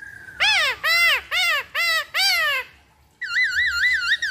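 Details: Lure recording of a black-throated laughingthrush: five loud harsh arched notes in quick regular succession, a pause, then a long wavering whistle.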